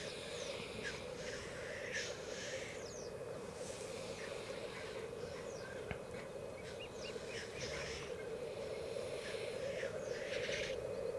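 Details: Black grouse lek at Elverum, Norway, in 2008 with 38 males in total: a continuous low bubbling chorus, cut by repeated harsh hissing sneezes from displaying cocks throughout.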